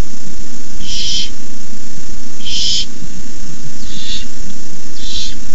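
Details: Barn owl young hissing at their nest at night as a rabbit is brought in, 18 May 2015: four breathy hisses about every one and a half seconds, the later ones softer, over low steady hum.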